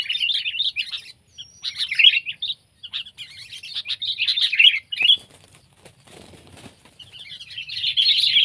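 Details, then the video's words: Sooty-headed bulbul, either pet or wild: bursts of rapid, bright chattering twitter with gaps of near silence between phrases, and a short fluttering noise near the middle. "Burung Kutilang Peliharaan VS Burung Kutilang Liar!"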